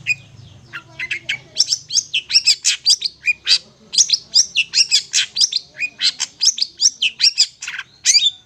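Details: Long-tailed shrike song meant for luring birds, a dense run of varied scratchy, squeaky notes delivered fast and irregularly, about two or three per second, with a faint low hum underneath at the start.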